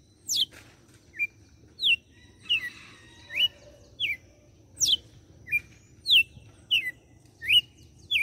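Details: A red-cowled cardinal in Fortaleza, Ceará, Brazil gives its whip-like song: sharp notes, some dropping steeply and some rising, about thirteen in eight seconds, ending with a finishing flourish, over a faint low hum.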